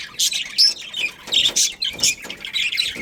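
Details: Budgies from a breeding pair give scratchy, high-pitched squawking chirps, about two or three per second, with brief gaps of quiet between them.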